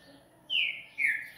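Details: Coleiro (Double-collared Seedeater) giving two clear whistled notes, each sliding gently downward and separated by a short pause, in a quiet setting.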